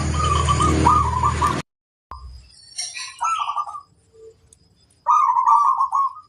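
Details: A loud noisy burst opens, then a local zebra dove with a big, strong voice gives short clipped coos and ends on a long rolling, vibrating phrase.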